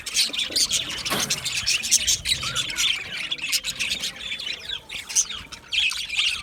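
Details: Budgerigars, small Australian parrots, chattering together in a dense chirping chorus of rapid, scratchy warbles and squeaks, overlapping high notes with short louder bursts and no pauses.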